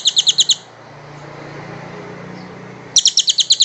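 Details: Kingfisher, in a recording meant for training other birds, giving short runs of about five clipped, loud high notes at the start and end, separated by a pause with a low steady hum underneath.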